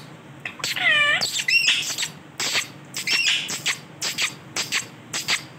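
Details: Rose-ringed parakeet, a male, opening with a loud bending screech, then rough noisy bursts and short shrill calls repeated about every half second.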